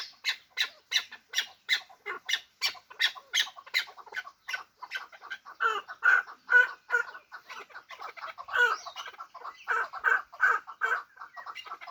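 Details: Hybrid fighting chukar partridge giving a rhythmic run of harsh, clucking chuk notes, about 150 a minute, starting crisp and evenly spaced, then turning lower, denser and more excited after six seconds; no other clear sounds.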